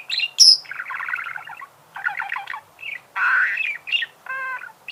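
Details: Budgerigar chattering loudly: a high squeal, grating trilled phrases, a buzzy rasp and a short nasal squawk.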